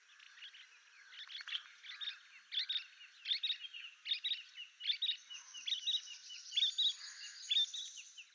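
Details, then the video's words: Painted bush quail from a scattered covey, soft whistled notes as members regroup: short, repeated high phrases about once a second, growing busier toward the end with a thin sustained high tone behind. "Painted bush quail (Perdicula erythrorhyncha) sound call and song"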